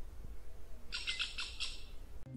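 A Squirrel Cuckoo gives a quick burst of sharp, harsh notes over a low background rumble.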